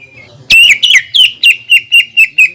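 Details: Greater green leafbird giving a long 'tembakan' shot phrase, played as a lure for other leafbirds: after a faint note, a loud burst of slurred, twisting whistles, then evenly spaced sharp ringing notes about five per second.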